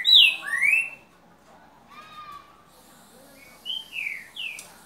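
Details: Boca mole style song of a green-winged saltator, loud slurred whistles falling in pitch, then a soft low note, a pause, and three quieter rising-and-falling whistles at the end.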